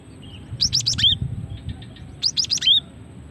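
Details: Calls of a female cinereous tit, played to lure birds and set males singing: two quick runs of four or five high, down-slurred chirps, the last note of each run drawn out, separated by a pause and a few soft ticks.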